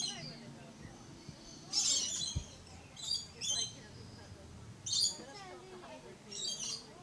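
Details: Short, rasping high shrieks from a red-collared lorikeet, spaced irregularly across several seconds over a low background hum.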